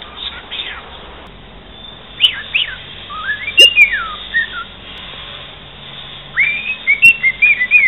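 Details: Whistled mimicry from a pet cockatiel taught to say "santos campeão" and sing bits of the Santos football anthem: upslurred and downslurred tonal notes in a halting phrase, ending in a quick run of short, bright repeated whistles with faint clicks.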